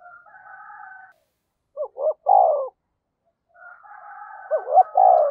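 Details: Decoy spotted dove said to be fast to coo, giving a soft wavering murmur, then a crisp phrase of two short notes and a long coo, followed by another murmur and a repeat of the phrase.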